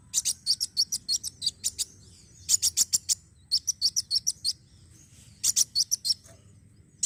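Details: Lure recording of a black sunbird song: repeated clusters of shrill, high, clipped chirps delivered quickly, several phrases in a row with brief breaks and a faint hum below.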